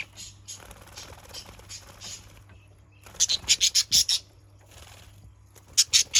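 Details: Lure recording of a budgerigar: faint chirps at first, then a quick run of about seven loud, sharp, high chirps, a pause, and a closing burst of three more.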